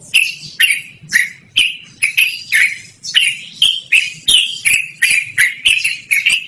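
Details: Long-running yellow-vented bulbul song, described as melodious and loud and used for luring or as a master for training; repeated buzzy, chattering notes come in pairs at a lively, even pace.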